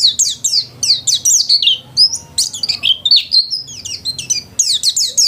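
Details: White-eye, a household bird, in full song: fast, tumbling runs of high, piercing twitters and falling whistles, tightly packed, over a faint low hum.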